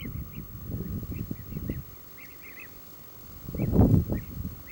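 European bee-eaters give short, liquid, rolling 'prruip' calls in scattered bursts, several overlapping, over a steady low rumble of wind or distant traffic.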